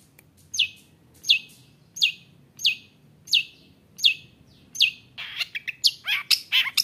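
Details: Long-tailed shrike singing to provoke rival shrikes: evenly spaced sharp chirps roughly every 0.7 seconds, then a rapid jumble of varied high notes and slurs toward the end.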